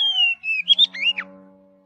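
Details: Forest Oriental magpie-robin singing: a long descending whistle, then quick slurred notes and a falling glide, over a steady low humming tone that lingers after the song ends.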